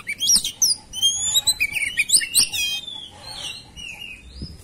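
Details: Agitated white-rumped shama in a fighting mood, tail spread, singing a varied run of clear whistled slurs and rising-falling notes mixed with brief harsh chips, with a short downslurred whistle near the end.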